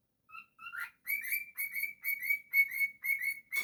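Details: Pet cockatiel opens with two soft whistles and a rising squeak, then shifts to a higher, brighter repeated whistle delivered in quick, even pulses.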